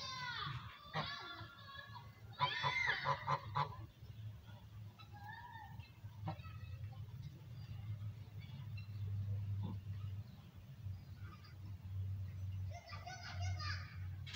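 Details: Goose talking to its owner with bursts of rich, nasal honks around two-second and thirteen-second marks, a few short murmured notes between, over a steady low hum.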